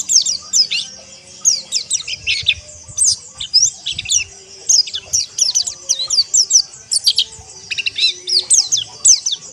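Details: Group of pleci, the white-eye, singing ombyokan to prompt rough, forest-like ngeriwik song: dense run of sharp high chirps, downslurred whistles and twittering bursts repeating steadily for nearly ten seconds, several birds overlapping, light background hum.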